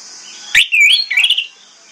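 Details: Orange-headed thrush in the morning, singing to lure other thrushes into answering; a short sharp note then a quick rising and falling whistled phrase over a thin continuous high background whistle.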